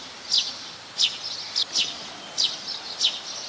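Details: Plain-backed sparrow, a common resident of Ubon Ratchathani, Thailand, January 2020: six short, high chirps, loosely spaced and some close in pairs, over a soft background hiss.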